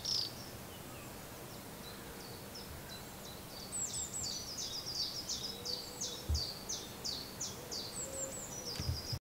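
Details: Robin in song: short thin notes, then a long series of rapid, high, repeated tinkling notes, with soft background hiss.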